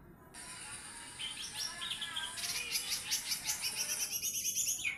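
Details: Lesser green leafbird, small form, singing actively: varied high whistled phrases give way to a quick, rattling series of sharp repeated notes that rises in loudness toward the end.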